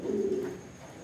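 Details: A racing pigeon coos during summer breeding preparation, giving one brief, low, throaty note that fades quickly, with a thin steady high tone behind it.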